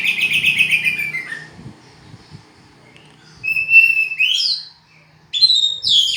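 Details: Oriental magpie-robin song made of clear, varied phrases: a run of rapid repeated notes sliding downward, then pure whistles and sharp rising notes, with a quiet gap in the middle and faint low rumbling underneath.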